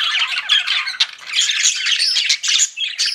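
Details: Pet budgerigars produce steady busy chatter, squawky chirps mixed with thin high whistled notes.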